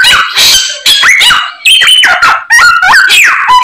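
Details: White-rumped shama singing a loud, varied song of ringing whistles and downward-sliding notes in phrases about half a second to a second long, separated by short gaps.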